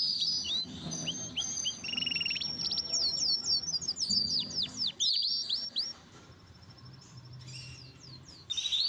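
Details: Aviary canaries feeding on boiled egg sing a continuous high warble of fast trills, rolling repeated notes and sweeping whistles, with a low hum underneath and a brief quieter stretch near the end.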